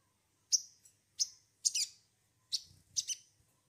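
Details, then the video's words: Olive-backed sunbird played as a lure to prompt other birds to sing: six sharp, high chirps in quick, uneven bursts over about three seconds, some paired, against a faint low hum. "pancingan sogon bahan agar bunyi"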